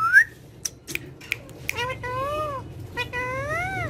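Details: Friendly speaking parrot kept as a pet, indoors: a sharp rising whistle, several clicks, then two drawn-out, wavering, nasal meow-like calls.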